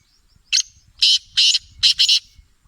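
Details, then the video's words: Black francolin calling: a loud, harsh, grating phrase of one short note followed by several buzzy rasping notes, the last two closely paired, with faint low background noise. "Black partridge Singing | Black Francolin Voice"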